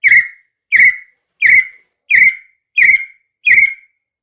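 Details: Partridge calling: a loud, clear whistled note that rises sharply and then slides down, repeated six times about every 0.7 seconds, with no other sounds.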